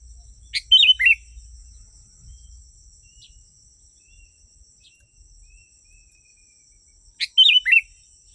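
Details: Genuine sooty-headed bulbul song intended to bring wild bulbuls close. Two short phrases, each a sharp click-like note followed by gurgling, falling chirps, roughly six seconds apart beneath a continuous shrill insect buzz.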